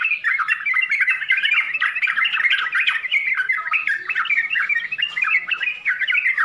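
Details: Rich, varied Yellow-vented bulbul song, meant to make learning birds answer: continuous busy run of bubbling chirps and slurred whistles, steady loudness for six seconds, faint high hiss.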